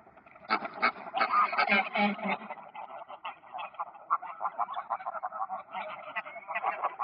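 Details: Greylag geese calling on the ponds of Park Poleski on 1 October 2024: a flock's overlapping nasal honks, loud bursts early on, then a steady chatter of clipped gabbling notes throughout.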